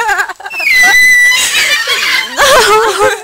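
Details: A cockatoo gives a harsh, wavering laugh in bursts that rise and fall like human laughter, laughing back at a woman who was laughing at it, with her voice close by indoors.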